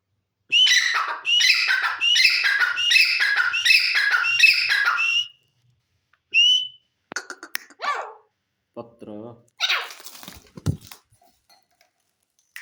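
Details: Partridge calling in a fast series of repeated whistled notes for about five seconds, followed by a lone whistle and several scattered harsh and clicking sounds.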